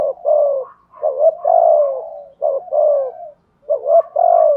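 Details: Thúc gù cooing by a decoy spotted dove with giọng thổ voice. Three phrases, each a short clipped note then a longer mellow falling coo, repeated at roughly one-second gaps.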